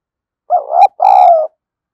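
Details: Decoy spotted dove calling to attract wild doves, in the thổ sấm voice: a two-part low mellow coo, the first note wavering and rising, the second longer and steady, gently falling at its end.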